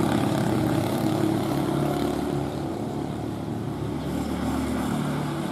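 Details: Loud, steady, low engine drone like a propeller aircraft or motor, filling the whole recording with no animal calls.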